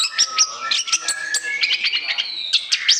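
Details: Continuous song of an Orange-headed thrush for luring: sustained thin whistles under a stream of quick chirps and slurred notes, bright and fast throughout.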